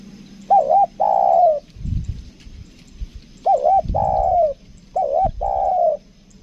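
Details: Lure spotted dove calling in the two-note 'kuk dua' pattern, with a trembling short note and a long sliding coo, three phrases, with low thumping knocks between them.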